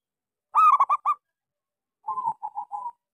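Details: Small-voiced local zebra dove, a singing lure for doves that have stopped calling: a loud rolling burst of quick coos, then a softer run of three short repeated coos.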